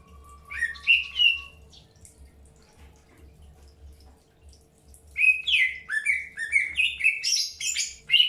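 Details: Greater green leafbird in early pairing, with short whistled and chirping notes in two bursts, sliding downward phrases near the start and a rapid series of bright varied notes in the last three seconds; a steady low hum underneath.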